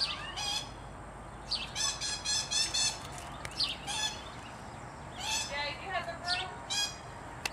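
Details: Green aracari calling: harsh, buzzy notes with rich overtones, given in quick clusters of three to five and repeated several times, over steady background hiss with a faint lower-pitched call near the end.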